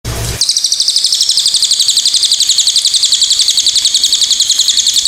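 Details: Pied fantail song: a rapid, steady run of high, sharp chipping notes, about four per second, continuing unbroken after a short opening burst of noise.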